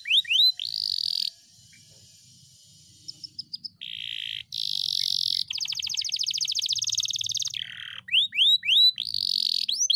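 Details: Cage-trained canary in long unbroken song: sweeping whistles, a buzzy trill, brief chips, a lower buzzy section, a long rapid high rattle and a falling buzz, ending in more swept whistles.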